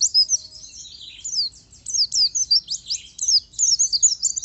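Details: Caged oriental white-eye delivering a fast, continuous stream of thin high twitters and quick down-slurred notes, bursts tumbling almost without pause for over four seconds over a faint low background hum.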